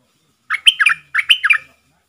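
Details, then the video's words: Wild red-whiskered bulbul, an aggressive bird that approaches a caged decoy bird, sings at it, then leaves; recorded in Thailand: two loud, quick, chattering whistled phrases of about four notes each, clear with no background. "เสียงนกกรงดอกแตงEp.56Birds soundsนกป่าห้าวจัดมา ริกใส่แล้วก็ไป"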